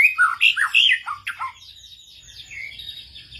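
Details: Shama song answering another bird, fiercely joining in as a lure recording plays: rich varied whistled phrases sliding up and down in quick bursts, then a softer trailing chatter of high notes.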